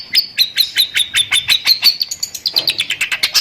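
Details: Long-tailed shrike singing in the fast 'tembakan' style, its song filled with lovebird sounds: a rapid run of sharp, high chirps about six per second, shifting to a quicker, tighter burst near the end.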